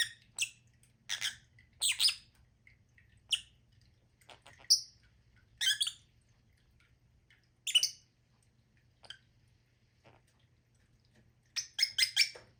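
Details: Scattered short, piercing lovebird chirps and squawks spread over twelve seconds, ending in a quick burst of several shrill notes.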